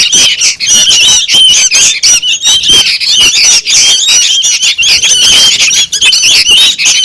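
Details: Noisy juvenile sooty-headed bulbuls, meant to draw in birds: rapid, choppy bursts of harsh squawks and squeaks from several birds, with brief pauses and whistled notes weaving through.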